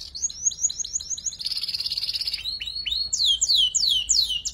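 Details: Canary youngster learning ngeriwik song, a tutor for murai and kacer birds, sings a row of quick falling whistles, a buzzy trill, then loud repeated downward-sweeping whistled notes.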